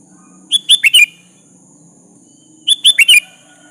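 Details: Sooty-headed bulbul in full voice, used to draw a rival's answer: two phrases of four quick, slurred whistles about two seconds apart, with a faint low hum underneath.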